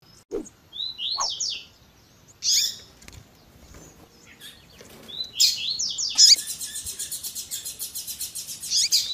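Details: Female Double-collared seedeater call of the tui tui zel zel type, edited to provoke males: scattered high slurred chirps and harsh bursts, then a fast, steady buzzy trill of rapid pulses running to the end.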